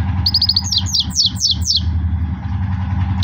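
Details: Loud goldfinch song: a quick run of high ticking notes, then five descending slurred twitters in about a second, fading into a steady low hum.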